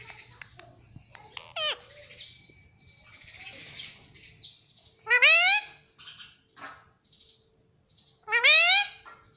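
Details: Pet ringneck parrot kept at home, said to be talking and saying "mummy" and "papa": three loud, sharply rising, ringing call-words at about 1.7, 5.3 and 8.6 seconds, with soft scratchy chatter and clicks between them.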